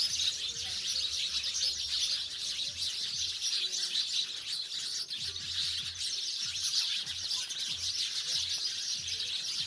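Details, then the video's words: Village house sparrows, a crowd of birds keeping up a thick, steady high-pitched chatter of overlapping chirps, with faint low hum underneath. "Sparrow गौरैया अब शहर से दूर गाँवो मैं निवास करने लगी है, आवाज आपको जरूर पसंद आयेगी"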